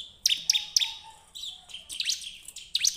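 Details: Bar-winged prinia song used to draw other birds into singing: three clipped high chirps, a soft buzzy interlude, then a couple more bright rising chirps.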